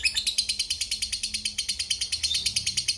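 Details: A lovebird chatters in the long 'ngekek' style, with rapid, harsh, high chirps tumbling out at about six per second in a steady stream.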